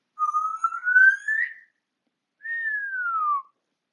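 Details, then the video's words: An African grey parrot at home gives a long, slowly rising whistle that wavers slightly, then a smooth, long descending whistle after a short gap. "My African Grey Parrot Whistling Away"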